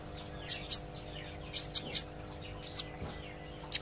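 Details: Young-sounding olive-backed sunbird practising its song, gacor and ngobra style: sparse, sharp, high chips in pairs and small clusters separated by pauses, with a faint low hum underneath.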